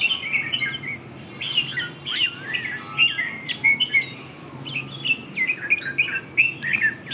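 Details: Red-whiskered bulbul, red eye-ring, dancing on a perch and pouring out short rising and falling whistled notes in rapid bursts, repeated for several seconds, over a low hum.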